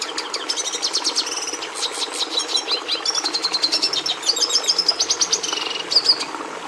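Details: Red siskin singing: a fast run of high, twittering trills and chirps, mixing rapid repeated notes with brief buzzy and whistled phrases, steady throughout with no other clear sounds.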